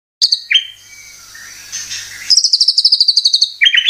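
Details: White-rumped shama lure song used to make caged shamas sing: high whistled notes, a thin sustained tone, then a rapid even trill of sharp repeated notes, and a final burst of descending whistles.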